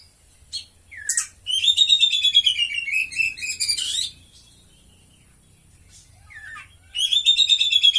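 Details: White-rumped shama in a cage, singing its cililin-style fill: short chips and a falling note, then two long rapid rattling trills of repeated notes that drift downward in pitch, with a pause between.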